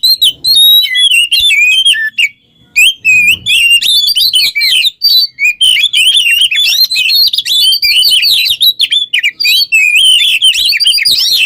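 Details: Oriental magpie-robin kept as a singing model for other songbirds, delivering long, vigorous song: rapid rolling twitters and looping whistled notes poured out almost without a break, with one short pause early on.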